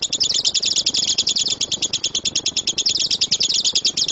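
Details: Lovebird master recording of the 'tembakan' shooting song for training birds. A rapid, shrill series of buzzy chirps repeats about three times per second, steady and continuous.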